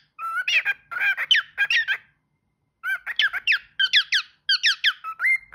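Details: Caged pet parrot chattering and singing in a small room, fast strings of scratchy, squeaky syllables and warbled notes in three bursts with short gaps between them.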